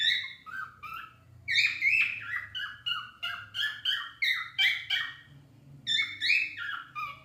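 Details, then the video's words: Pet cockatiels in song: a long, lively chain of short slurred whistles, rising and falling notes repeated rhythmically at roughly three per second, with louder emphatic bursts. "cockateils singing"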